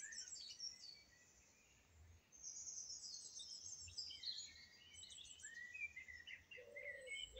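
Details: Song thrush song heard through steady background hiss: high, jumbled chirping phrases at first, then a pause, then a brighter burst of short repeated whistled notes.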